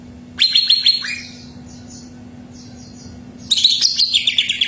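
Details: Greater green leafbird song used to make another bird sing: a tumbling burst of high chirps, a quiet gap with faint distant twitters, then a second loud chattering burst; steady low hum throughout.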